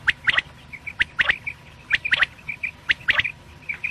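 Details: Night quail calling: rapid paired clicks in quick succession alternating with faint short whistled pips, steady and fairly continuous throughout.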